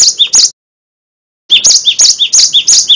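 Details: Cinereous tit song kept as a master recording for training birds. Two sharp phrases, about a second of silence, then the two-note phrase resumes in quick repetition.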